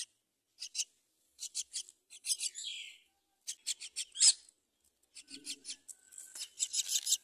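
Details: Common myna chick being fed rice by its mother: bursts of rapid, rasping, buzzy pulses with brief silences, ending in a dense chattering run.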